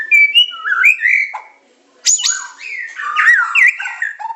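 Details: White-rumped shama of the Medan type singing a training and lure song: loud varied whistled phrases with rising and falling slurs, a short pause near the middle, then bright buzzy notes and sweeping whistles.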